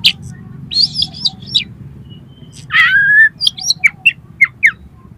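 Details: Oriental magpie-robin song for training competition birds, packed with mimicked material: a quick run of varied high whistled and chirped notes, then a longer falling-and-rising slurred whistle and a string of sharp short notes, over a low background hum.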